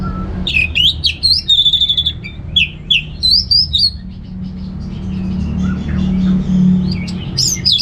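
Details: Orange-headed thrush (Anis Merah) singing a relaxed ngeplong-style song used to coax home birds into singing: bursts of clear, varied whistled phrases, some rising, some falling, with short pauses, over a steady low hum.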